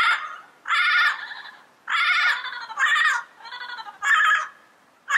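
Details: Yellow-headed parrot in its natural surroundings uttering strident, nasal squawks, long raspy bursts repeated every second or so, some doubled, with quiet gaps between.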